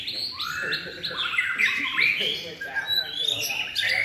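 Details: Contest-trained White-rumped shama, in its third season, pouring out a continuous run of bright, fluid whistles with quick upward and downward slurs and sharp high accents, mostly high-pitched and steady in volume.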